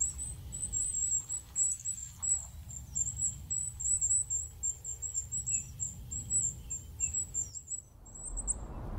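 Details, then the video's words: Wild goldcrest delivering a fast, very high, thin, tinkling song of repeated small notes, with a short pause before a final phrase and low background rumble. "chant et cris du roitelet huppé / song & calls of goldcrest"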